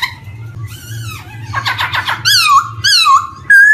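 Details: Black-throated laughingthrush song used as a lure for young birds just beginning to sing: soft opening notes, then a burst of rapid stacked chattering and loud slurred whistles falling and levelling, over a steady low hum.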